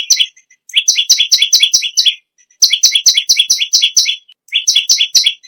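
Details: Bar-winged prinia in persistent song, giving three bursts of fast, sharp, high doubled chirps separated by short gaps and faint softer notes.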